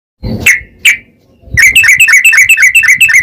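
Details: Yellow-vented bulbul in long, rapid-fire song used to provoke other bulbuls into singing: two separate sharp notes, then a fast run of about a dozen bright, clipped chirps at a steady quick pace. No other sounds are heard.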